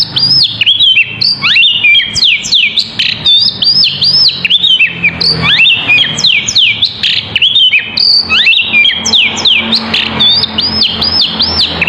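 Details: Lively oriental magpie-robin singing non-stop as a lure for other birds, delivering rapid strings of high whistles, steep slurred sweeps and clipped chirps in dense, ever-changing phrases with no pauses.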